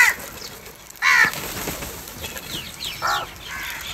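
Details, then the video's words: Crows squabbling over food give two rough, grating caws about two seconds apart, with quieter scattered calls from other birds behind them. "Crow cowing and attack on food"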